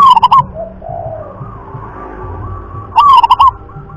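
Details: Local wild zebra dove of the prized rhythm class: two loud rolling coo phrases about three seconds apart, each of several quick stuttered notes.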